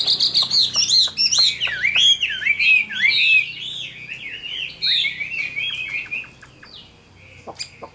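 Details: Chinese hwamei, a mature wild-caught bird kept caged and praised for its fine voice, delivering rich, fast whistled phrases that slur up and down, with quick varied notes and brief clicks, fading toward the end.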